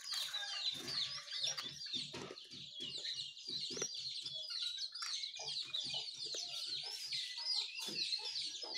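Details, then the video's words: Morning chorus of birds named as sooty-headed bulbul, yellow-vented bulbul and white-eye: dense, overlapping high chattering and twittering notes run continuously, over a rhythmic series of soft low thumps. "Suara Burung Jongkangan, Terucukan , Pleci di pagi hari"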